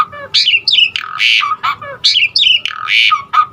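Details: Asian pied starling singing a loud varied mix of its filler phrases, used to spur other starlings into song: harsh squawky bursts around bright whistled slurs, repeated in two similar phrases.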